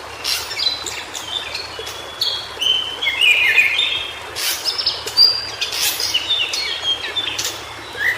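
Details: White-browed shortwing, locally called cingcoang biru, singing in its natural Indonesian habitat: bright, sharp chirps and quick twittering phrases in irregular bursts, with some brief broadband clicks and a soft noisy background.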